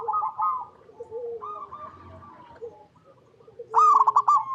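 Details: Zebra dove cooing, a local bird whose song serves to coax other doves into singing: soft, rolling coo phrases overlap at low volume, then one loud, sharply pulsed phrase bursts in near the end.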